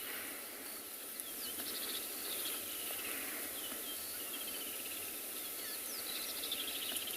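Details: Woodland kingfishers call several times on a morning safari drive in a South African private game reserve on 21 December 2020, just after rain stopped. Each call is a sharp note falling into a rapid, descending trill, over a steady hiss of insects.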